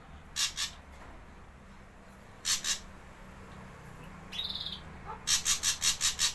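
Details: Javan ashy drongo lure recording for wild birds: paired harsh notes, a brief buzzy whistled trill, then a fast regular series of six rasping bursts.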